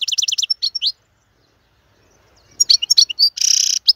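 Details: Male European goldfinch singing as a tutor for young birds: a burst of rapid, bright twittering notes, then a short silence and a fresh run of high chirps that ends in a buzzy, nasal trill.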